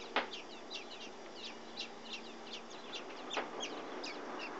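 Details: Blackbird chicks in a nest on a security light by a back door, fed by their mother; faint, thin, high squeaky notes in rapid irregular succession, with two sharper clicks.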